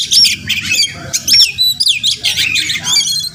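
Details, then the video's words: Wild Oriental magpie-robin recorded at home in the morning on basic equipment; short bursts of looping whistles and harsh scratchy notes separated by brief gaps, a faint low drone in the background. "Crazy Sounds of Village Magpie Birds"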